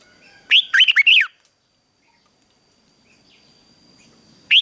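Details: Morning song training of a red-whiskered bulbul for fighting song: one loud, rolling phrase of four swooping whistled notes, then quiet, and the start of a new phrase at the end.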